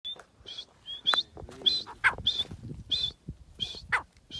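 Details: Grey francolin calling: a series of short, sharp, squeaky notes repeated roughly every half second, with brief thin whistles between them and some faint low rustling underneath.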